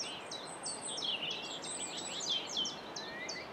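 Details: Common whitethroat at Saltersford Locks, dated 8/5/2013: a hurried, scratchy warble of short high chirps and buzzy notes, run together with little pause, over steady background noise.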